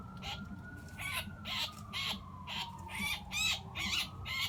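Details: Caught blue jay screaming under a hawk that seized it in mid-flight and holds it down in a front yard while plucking; loud, harsh, grating screams repeated about twice a second, with a faint siren tone behind.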